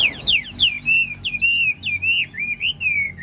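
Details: Chinese hwamei, large-bodied caged songbird, sings while nodding and dancing: a clear run of loud, pure whistled notes, each sliding up and down in quick wavering loops, repeated nearly twice a second.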